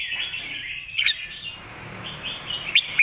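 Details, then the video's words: Red-whiskered bulbul master song for tutoring young birds: a sustained, slightly wavering warbled phrase, broken by two brief sharp clicks. "สำนวนแม่บท"ร้องชัด สอนลูกนก"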